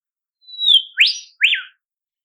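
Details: In Australian temperate woodland, a wild olive whistler utters a drooping high whistle, then two emphatic short notes, a rising sweep and an up-and-down arch, in a single clear phrase without other sounds.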